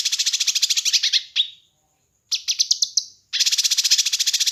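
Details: Master recording of kinoi bird song for training and luring: rapid, loud, buzzy rattles with a slurred downward note, a series of sharp rising chips, then another long rattle.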